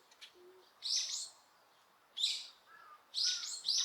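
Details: Wild birds calling in Osaka Castle Park, Japan, on a quiet day with no people about, recorded with noise reduction; three loud, harsh, high chirping bursts about a second apart, with a faint low note before them.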